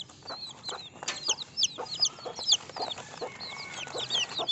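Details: Baby chickens peeping together: many high, thin, downward-sliding cheeps overlap in a constant busy chorus, with soft lower clucking pulses underneath.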